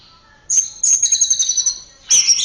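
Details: Orange-headed thrush song from a training recording made for caged songbirds: clear high whistled phrases, a sustained bright note followed by a rapid run of pulsed, slightly buzzy notes, a pause, then another loud whistled phrase.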